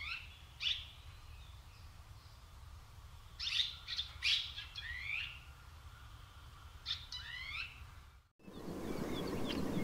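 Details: Red-rumped swallows, recorded for a sound guide to the birds of Córdoba, give short, bright chirping and twittering notes in three loose bursts over a steady low rumble that turns to a louder hiss at the end.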